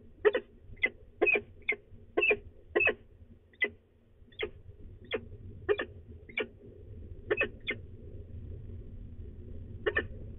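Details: Female peregrine falcon grumbling ahead of leaving, De Mortel, Netherlands, 24 March 2020 at about 09:53; scattered short scratchy notes, clustered early then thinning out across ten seconds, over a constant low rumble.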